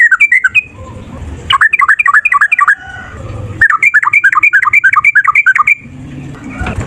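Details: Fighting male yellow-vented bulbul in long fighting song, used to prompt other bulbuls to answer: rapid bursts of bubbly, warbled notes repeated in quick runs, broken by short pauses, with faint low rumbling between phrases.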